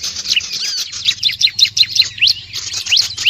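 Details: Bar-winged prinia calls played to draw other birds in: rapid, high, sharply bent chirps and trills, roughly three per second, overlapping in a busy chorus with faint regular ticking above.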